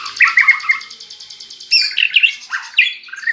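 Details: White-rumped shama housed near red-whiskered bulbuls, singing in their manner: an opening rapid buzzy trill, then loud bright whistled phrases sliding up and down.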